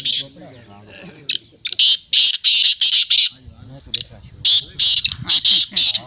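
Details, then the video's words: A Black francolin (kala teetar) calling in a voice competition gives loud, harsh, grating phrases of several clipped notes in quick bursts, over men talking in the background. "Kala Teetar ki Chakri Black teetar voice tournament Black Francolin voice"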